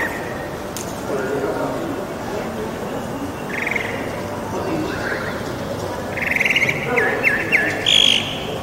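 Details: A Northern mockingbird in Bogotá during the quarantine sings scattered short phrases as a new urban neighbour, including some rapid buzzy trills and a clearer high note near the end, over steady background noise.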